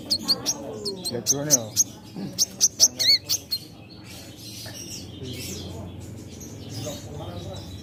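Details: Crimson sunbird kept in a private collection, in lively full song: bursts of bright, piercing high notes in quick repeated series for three seconds, then quieter background noise and a faint low hum.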